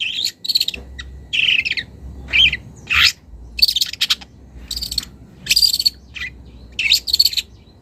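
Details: Young wild long-tailed shrike calling a rival and beginning to use mimicry. Grating, scratchy phrases come in spaced bursts, including a rising whistled note and repeated loud rasps, over a steady low hum.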